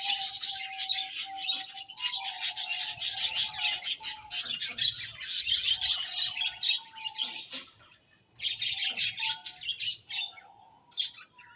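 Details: Several budgerigars chirping: dense, rapid, high-pitched twittering and chatter with brief pauses, over a steady low hum.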